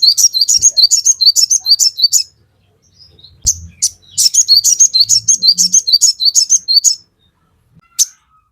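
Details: Crested jay in full, lively song, used as a lure to make other crested jays sing back quickly. Rapid series of high, sharp chirped notes, about three per second, in two long bursts separated by a brief pause, with a single note near the end.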